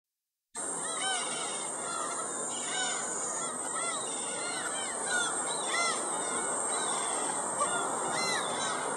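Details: Black-tailed gulls at Shinobazu Pond in Ueno, recorded on 10 July 2011. Several birds give repeated short, mewing, arched calls that overlap constantly, set against a steady hiss of background noise.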